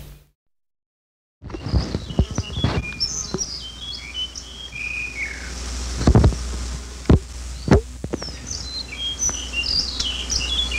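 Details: Song of the now-extinct Kamao (Myadestes myadestinus), Hawaii, 1989: scattered short, clear whistled notes over a steady low hum and occasional clicks.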